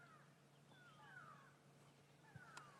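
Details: On a morning safari drive on 17 August 2016, grey go-away-birds give faint, nasal, downslurred 'quack' alarm calls over a low engine hum as an African hawk eagle takes off; squirrels also alarm, and the calls recede down a drainage line.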